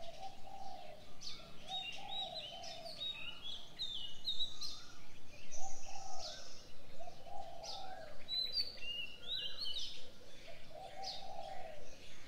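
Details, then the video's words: Morning bird sounds: assorted high chirps and short whistles scattered across the recording, with recurring low soft coos and steady outdoor background noise. "Birds sounds on the morning 清晨鳥鳴"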